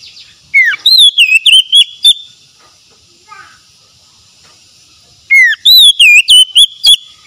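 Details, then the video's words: Oriental magpie-robin song meant to restore a stressed, mute bird's singing: a rising whistle then a quick string of clipped, bending whistled notes, a quiet gap with a faint soft call, then a similar phrase repeated. "TERAPI TERAMPUH PEMULIH KACER SETRES BISU MACET BUNYI LANGSUNG GACOR"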